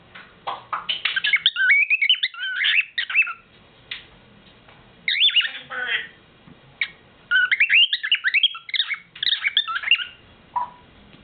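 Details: A male pet bird gives his nightly song, bursts of rapid, chattering warbles mixed with sweeping whistled notes with short pauses between phrases; another pet bird in the background says "pretty bird" and adds backing sounds.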